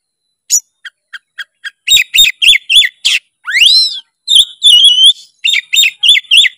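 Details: Oriental magpie-robin song opening with a string of short spaced ticks, building into rapid whistled phrases, a sweeping rising note and dense bright chatter.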